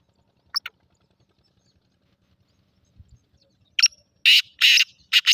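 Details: Black francolin (Sindhi kala teetar) calls: two brief scratchy notes, a long silence, then a rapid run of loud grating bursts toward the end.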